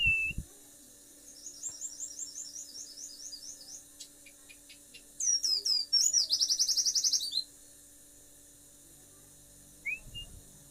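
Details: White-eye song used as a champion-level master recording: short bursts of rapid, high, bright chirps, then a dense, buzzy trill of very quick repeated notes, with quiet gaps between the bursts.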